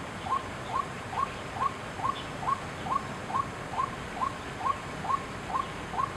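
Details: White-breasted waterhen recorded at Chiang Kai-shek Memorial Hall on 6 September 2012, giving a steady series of short, upslurred clucking notes about twice a second, thirteen in a row, over a soft background hiss.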